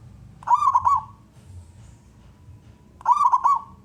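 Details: Male zebra dove of local wild stock, used to coax other doves into song, utters two short rolling trilled coo phrases about two and a half seconds apart over faint low background hum.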